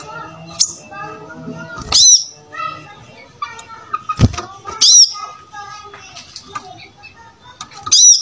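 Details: Lively brown-throated sunbird song used to teach other cage birds to sing; piercing high downslurred notes arrive singly every couple of seconds, with softer warbled phrases and chatter filling the gaps.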